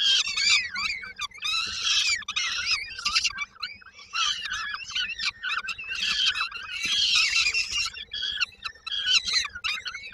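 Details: Hungry peregrine falcon nestlings at Koszalin, Poland, on 19 May 2022 await their mother with supper, keeping up a dense chorus of rasping, high, wavering screams that overlap and barely pause.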